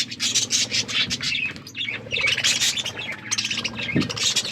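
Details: Budgerigars chirping while eating food and playing; dense, continuous high chatter of overlapping warbled chirps and squawky notes from several birds, with a brief low knock near the end.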